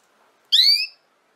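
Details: Canary sound meant to teach young canaries to sing: a lone, bright, upward-sweeping note of about half a second, strongly harmonic, in otherwise near silence.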